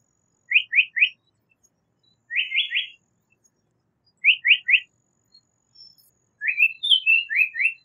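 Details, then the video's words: Japanese paradise flycatcher song: triplets of short rising whistled notes repeated after pauses of about a second, ending in a busier run of twittering notes and rising triplets; no other sounds. "Japanese Paradise Flycatcher Call / Sound / Song"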